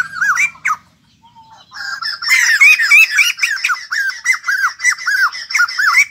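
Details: White-crested laughingthrush, freshly caught and caged, in a continuous loud chatter of repeated arched squawking notes after a short quiet pause.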